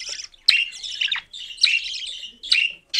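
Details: Short scratchy cockatiel calls: four harsh, high bursts, each under a second, with sharp starts and quick gaps between them.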